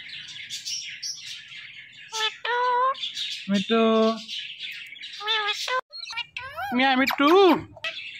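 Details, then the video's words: Green talking Indian ringneck parakeet producing a series of nasal speech-like syllables and squawks, with wavering rising-falling notes near the end, over low background music. "Indian Ringneck Parrot Natural Sounds"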